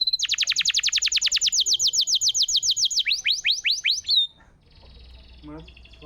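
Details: ["Energetic canary in masteran song, meant to restart a quiet bird's singing: a long rapid trill that slows into separate swooping whistled notes, ending in near quiet with faint chirps."]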